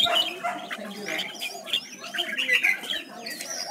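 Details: Red-whiskered bulbul singing as a training lure: softer, steady chattering and twittering phrases with scattered high whistled slides.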